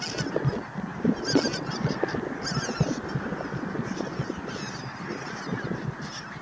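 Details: Bar-headed geese at Naardermeer, the Netherlands, on 9 March 2021, give nasal, honking calls in a steady, overlapping chatter, several birds calling at once over a soft background murmur.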